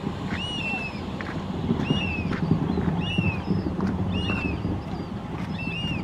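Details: Black oystercatchers meeting at Hopkins give loud, sharp, down-slurred whistles, repeated roughly every second, over steady wind and surf rumble.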